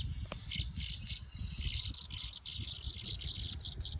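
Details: A converging flock of tree swallows at Parker River National Wildlife Refuge, Plum Island, Massachusetts, on August 19, 2015, gives bright, liquid chirps, several a second, mixed with calls played from a phone app, over a low rumble.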